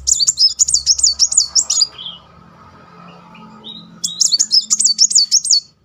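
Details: Kolibri muncang sunbird singing loudly and rolling, used as a lure to stir a stalled bird: two fast, high warbled trills of wavering notes, each about two seconds long, separated by a quiet gap with a lower note.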